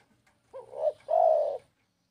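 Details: Spotted dove cooing: a soft low hooting note followed by a longer, louder, steady coo, the pair lasting about one second.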